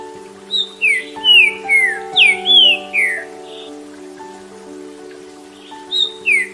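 A Green-winged Saltator sings loud, clear whistled phrases of quick downward-slurred notes, about two a second, over soft steady background music.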